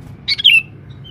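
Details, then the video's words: A single short, bright chirp from a male sooty-headed bulbul used as a lure in the forest: two quick syllables sliding downward, over a faint low hum. "pikat burung kutilang jantan buat pancingan di dalam hutan"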